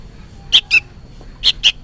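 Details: Juvenile sooty-headed bulbul, lively and noisy, calling as if for its parent: two pairs of short, harsh, high chirps, the notes of each pair close together and the pairs about a second apart, over a quiet background.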